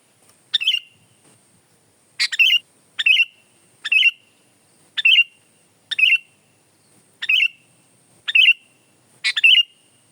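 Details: Sooty-headed bulbul (kutilang) singing persistently, about nine short bubbly phrases in ten seconds, each a rapid burst of clear notes closing with a brief whistled flourish, spaced unevenly against a silent background.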